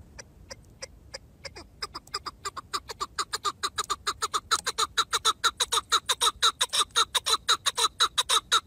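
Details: Chukar partridge calling in the mountains: clucking chuk notes begin sparse and hesitant, then speed up into a loud, steady, rapid series of about two notes per second, growing stronger toward the end.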